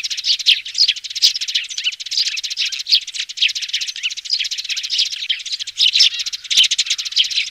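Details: Nestling sparrow chatter used as a loudspeaker lure to bring birds down for trapping: a crowded stream of sharp, high chirps and buzzy squeaks, packed tightly together without pauses, with a few soft clicks.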